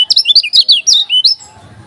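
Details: Intense song of a lemon-bellied white-eye (kecial kuning) from Lombok. Quick, bright, high whistles ripple up and down in a tight burst, then give way to faint low background hum.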